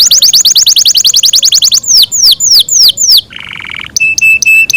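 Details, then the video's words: Captive Yorkshire canary sings a long melodious song: a fast, high trill of about fifteen quick notes, then several sweeping downslurred whistles, a buzzy rattle and a few clear repeated notes. "yorkshire canary long melodious sound"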